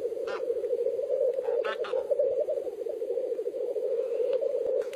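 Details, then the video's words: A steady chorus of Black Grouse at a lek: continuous low, bubbling cooing, with a few brief harsh hissing bursts cutting through. "Black Grouse Lek"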